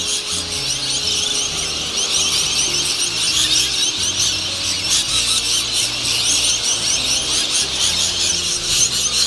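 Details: Rainbow lorikeets gathering at sunset to roost in Norfolk Island pine trees at Cottesloe beach, Perth, a dense chorus of many high, shrill, screeching chatters overlapping continuously, with faint low hum beneath.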